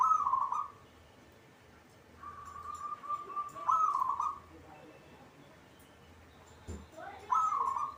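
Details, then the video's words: Zebra dove, a locally bred caged bird, singing repeatedly. It gives several purring trilled coos, some stretched into longer level phrases, with brief knocks and low hum behind. "hitungan detik perkutut cepat bunyi atau gacor"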